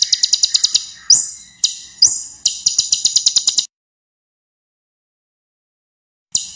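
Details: Ruby-cheeked sunbird (kolibri ninja) in lively varied song, meant as a tutor for young birds, with sharp 'tembakan' notes: fast high ticking runs and abrupt upswept whistles, then about three seconds of silence before a final phrase.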